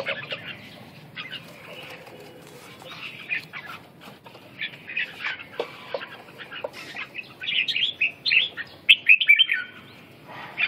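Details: Red-whiskered bulbul giving scattered chirps and short warbled phrases, sparse at first and growing into a louder, denser burst of bright notes toward the end, over a faint low background hum.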